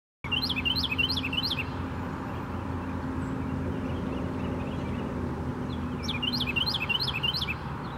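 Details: Carolina wren at Tattnall Square Park on January 1, 2016, giving two bursts of loud, ringing phrases, each repeated rapidly about five or six times, over a steady low hum of traffic.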